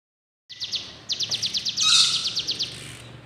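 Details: Sunda warbler singing: a rapid series of thin, very high notes, briefly interrupted and then resumed, with a louder buzzy burst in the middle.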